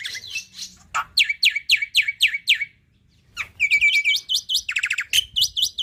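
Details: Song from a black-winged myna used to train young birds, rich in tembakan: loud sliding whistles repeated several times a second, a brief gap, then a fast twittering series and rattling trill.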